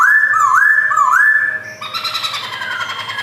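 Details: Black-throated laughingthrush, a caged white-cheeked male in Jogjakarta, 2021, gives clear whistled swoops that dip and rise twice. Then comes a long steady whistle, followed by a burst of busier, rougher notes.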